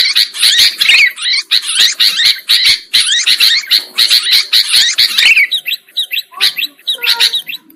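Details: Sooty-headed bulbul lure sound for catching birds: rapid overlapping chatter that thins out toward the end into scattered slurred notes.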